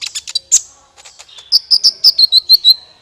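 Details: Trapping lure call of a kolibri ninja sunbird. Quick high chirps open the sequence, then a steady run of about nine bright, evenly spaced twittering notes follows.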